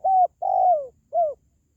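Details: Close spotted dove cooing: a level coo, a long drawn coo gliding lower, and a short downslurred final note, loud and clean.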